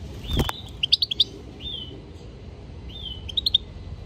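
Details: European goldfinch song: a thin slurred whistle followed by a quick series of sharp high chirps, another drawn whistle, then a second rapid chirping run, with a soft low hum behind.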